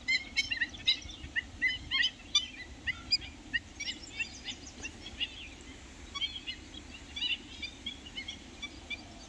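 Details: Black-winged stilts in Jharkhand, India, give sharp, high yapping notes in irregular overlapping bursts, like several birds calling at once, over a low steady rumble.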